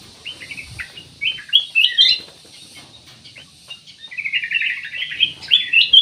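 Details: Ruby-throated bulbul in full song, used to prompt other birds to sing; chirps and sweet whistled slurs, then a long busy chattering warble that rises in loudness toward the close.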